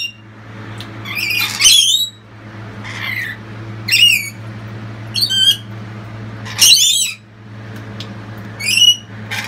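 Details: Lorikeets calling loudly as the youngest chick has just left the nest box; repeated harsh, shrill screeches in short bursts, some rising and bending, over a constant low mechanical hum.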